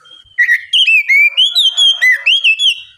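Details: Relaxed 'ngeplong' singing of an Oriental magpie-robin, used to spur a lazy bird to answer: a steady string of about ten loud whistled notes, each a rising or falling slur, with rich overtones.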